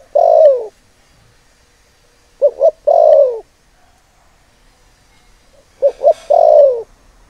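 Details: Spotted dove lure call meant to provoke males. A long falling croon opens, then two more phrases of paired short coos leading into a sustained downslurred note, separated by quiet gaps.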